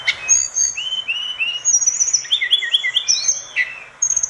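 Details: An orange-spotted bulbul in full voice, recorded for training other birds: a chain of bright whistled phrases with short rising and falling slurs, dense and continuous with few pauses.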